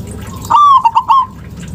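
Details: Single call of a local zebra dove, meant to encourage reluctant doves to call: a smooth rising whistle followed by three rapid bubbling notes, clear above faint low background noise.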